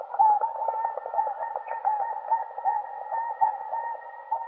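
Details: Flock of Whooper swans (Cygnus cygnus) in a dense, continuous chorus of overlapping trumpeting and honking notes, with no pauses, forming a busy, rolling wall of swan voices.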